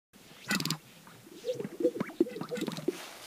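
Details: Male greater sage-grouse strutting on a spring lek near Hudson, Wyoming, USA, courting females and defining territories. A sharp brushing swish is followed by low bubbly pops and gurgling burps from the inflated vocal sac, with overlapping notes from other males.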